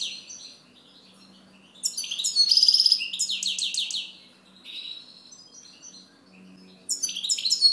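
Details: European goldfinch song: a lively run of high twittering notes with a buzzy trill and a series of sweeping slurs, then softer chirps before another loud twittering burst begins.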